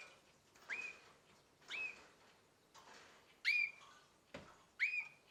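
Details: Young canary, roughly nine months old, gives four upswept whistled chirps at uneven intervals over steady background hiss, the later ones louder, with a sharp click or knock near the end.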